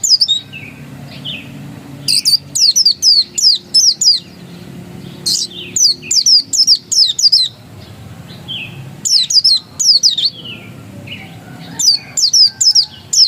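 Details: Oriental white-eye, known as pleci dakun, in ngotot-style song: fast runs of high slurred whistles in three separate bursts, divided by quieter spells with soft lower notes.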